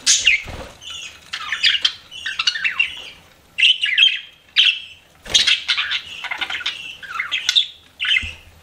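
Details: Pet budgies give short bursts of squeaky, warbling chirps separated by brief pauses, each phrase a tumble of buzzy notes and whistled squeaks.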